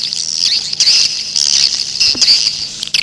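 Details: Wild grey-breasted prinia, luring calls: an unbroken, shrill, high-pitched trilling chatter with slight rises and falls in loudness, steady throughout a short three-second stretch.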